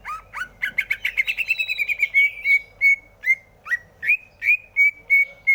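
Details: Greater green leafbird song: a dense rapid twittering of overlapping chirps, then clear, evenly spaced whistled notes, several with a quick upward flick, repeated roughly every third of a second.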